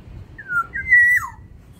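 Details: Aviary-kept black-naped oriole of Sumbawa stock in full voice, giving one rich whistled phrase: a short descending note, then a sustained clear tone that drops sharply at the end.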